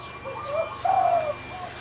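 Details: Caged spotted dove giving soft, low cooing notes: a faint lead-in, then a fuller, rolling coo that fades away, over a steady low hum.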